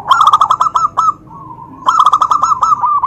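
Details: Zebra dove call meant to provoke other doves into answering: two bursts of rapid, rolling cooing notes with a quieter low coo between them.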